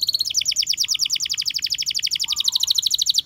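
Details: Canary song made of one fast, even trill of bright pulsed notes repeated many times a second, shifting slightly in pitch partway through and running unbroken to the end.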